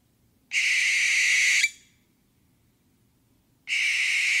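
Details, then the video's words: Barn owl giving two long, harsh, hissing screeches, each about a second long, about two seconds apart, in an otherwise quiet background. "សំលេងខ្លែងស្រាក (Barn Owl)"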